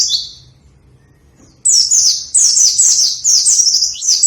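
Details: A lively white-eye sings continuously after a brief pause: rapid, high-pitched twittering phrases that slide downward, repeated quickly and tightly packed, clean and loud with no other sounds. Meant as a lure and master recording for reluctant singers.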